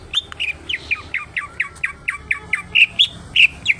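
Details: Greater green leafbird, a kept and hand-fed bird singing vigorously. A quick series of short, downward-slurred chirps repeats about every third of a second, growing louder toward the end.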